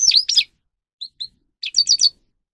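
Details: Short bursts from a grey-crowned goldfinch training song: two quick twittering notes, two thin isolated chips, then a fast run of four or five tinkling notes before silence.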